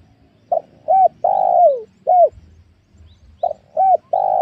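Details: Wild spotted doves lured at a newly cleared young oil palm plantation; low mellow coo phrases, short clipped notes then a long drawn coo sliding downward, the phrase given twice with a quiet pause between.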